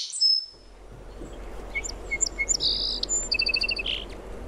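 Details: Song sparrow delivering one song after a brief high note at the start: several crisp notes, a loud buzz, then a quick run of repeated pulses ending in a burry note.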